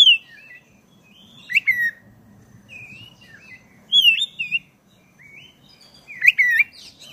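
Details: Black-breasted oriental magpie-robin, an energetically singing bird used as a lure to provoke caged birds into singing, in a long rolling song: loud whistled phrases with sweeping and falling notes, repeated about every two seconds, with quieter twitters between.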